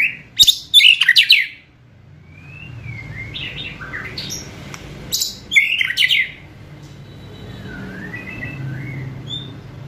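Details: White-rumped shama song for provoking rivals and speeding up singing: bursts of loud harsh chattering and clicks, separated by soft slurred whistles and quiet pauses.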